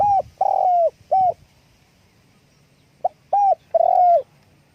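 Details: Spotted dove calling with wing flapping; two phrases of hoarse cooing separated by a pause, each a quick pickup note, a short hoot, a longer gently falling hoot, and a clipped final coo.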